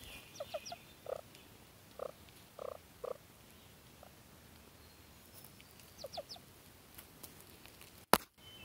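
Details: A bold, unusually territorial Ruffed Grouse on a gravel road in rain, outside breeding season, that follows and jumps at people, gives short, low, clucking notes in small bursts, then pauses, over soft hiss; a sharp knock near the end.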